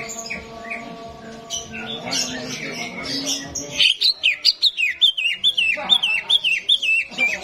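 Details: Greater green leafbird singing in a simulated contest arena, used to stir up birds that are hard to get singing: murmured voices and mixed chirping at first, then a loud, steady string of sharp high chirps, about two or three each second.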